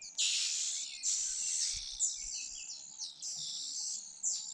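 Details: Fujian niltava chicks fed by their mother keep up a loud, almost continuous, buzzy high-pitched begging chorus, calls overlapping with barely a pause, plus faint low knocks.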